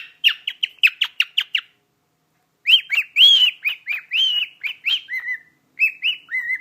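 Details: Cockatiel kept as a pet, singing "Jingle Bells" to its owner: quick string of sharp chirps, a pause, then longer warbled whistles that dip and rise, some sliding lower toward the end.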